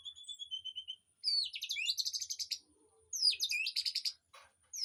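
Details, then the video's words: Aviary birdsong for a white-rumped shama to learn from: a run of repeated thin whistles, then two loud bursts of downward swooping notes breaking into buzzy trills, ending in scattered chips. "Suara Burung Di AVIARY//Untuk Masteran Murai Batu"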